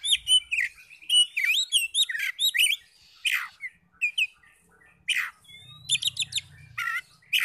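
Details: Oriental magpie-robin singing as a lure for other magpie-robins: rapid whistled and squeaky phrases, harsh downslurred notes, then a thin rising whistle and quick chips, with a brief low hum.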